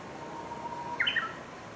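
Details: Along the Oppe River promenade in Ogose, Japan, 12 July 2021, a Japanese bush warbler gives a soft, level whistle that breaks into a brief, crisp phrase of higher, tumbling notes.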